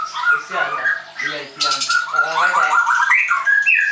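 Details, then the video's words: White-rumped shama of the Leuser type at a training school in Tangerang, Indonesia, singing whistled slurs and trills while human voices talk underneath during the first half. "MURAI BATU LEUSER"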